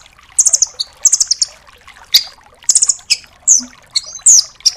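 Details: Dark-necked tailorbird song for training songbirds: rapid high trilled bursts of four or five notes, mixed with sharp clicks and short downslurred whistles, loud and close.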